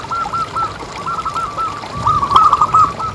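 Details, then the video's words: Zebra dove of local stock, recorded as a lure so that other doves keep calling: a continuous run of mellow rolling coos, quick and slightly uneven, growing louder near the end, with faint background hiss. "Suara Paling Ampuh Untuk Pancingan Burung Perkutut Agar Bunyi Terus"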